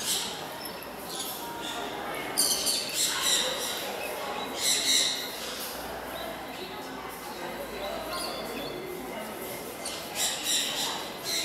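Golden-breasted starling giving harsh, squawky chatter in quick irregular bursts, with high scratchy notes, over a murmur of voices in an echoing room.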